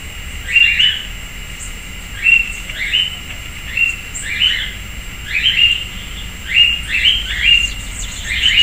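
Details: In a backyard persimmon tree in Piracicaba, São Paulo state, Brazil, a sayaca tanager gives a long run of thin, squeaky, upslurred notes, single or in quick pairs, about a dozen over several seconds, with steady faint hiss behind.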